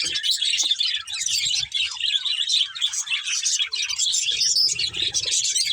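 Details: Many budgies chirp at once, a thick wall of high twittering and grating warbles with short gaps between bursts.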